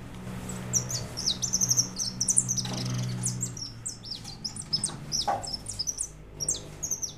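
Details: In 2013 a white European goldfinch sings rapid tinkling chirps and slurred high whistles, about two notes a second in looser stretches, while a low droning hum fills the first half.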